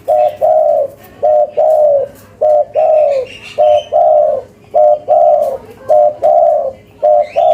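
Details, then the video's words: Lively local spotted dove in the cetrekan style, steady rhythm of short coo followed by a longer coo, about ten such notes in quick regular succession, with soft chirping in the background. "Suara Tekukur Lokal Gacor, Cetrekan‼5 Detik Auto Nyaut"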